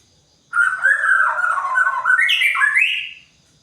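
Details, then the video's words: Morning-dew session for a white-rumped shama: a loud, varied warbling phrase of about two and a half seconds, starting low and mellow, then climbing into brighter, higher twisting whistles before stopping abruptly. "Murai batu di embun pagi biar gacor"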